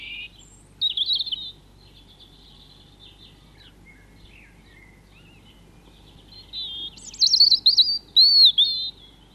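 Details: European robin (Erithacus rubecula) singing at RSPB Leighton Moss: thin, high, wavering phrases of liquid trills and sweet whistles, separated by short pauses, over a quiet background.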